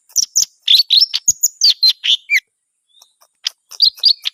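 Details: Lively greater green leafbird song: a rapid, varied string of high chirps, bright slurred whistles and squeaks for over two seconds, a short near-silent pause, then another quick burst of sharp notes.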